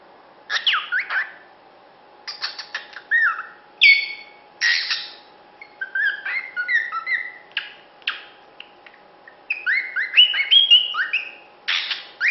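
A cockatiel sings a lively string of whistles, chirps and squawky notes, mostly high and bright.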